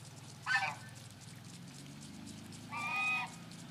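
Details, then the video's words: Geese let out of their mini-barn in the morning: two separate, fairly quiet honks, one short and one longer, with a low hum underneath. "Good morning, geese"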